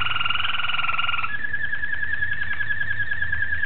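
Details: Malinois Waterslager canary, 26 October 2012, in steady song: a strong pulsing roll stepping down after a second into a single level, finely beaded trill that holds to the end, low hum behind.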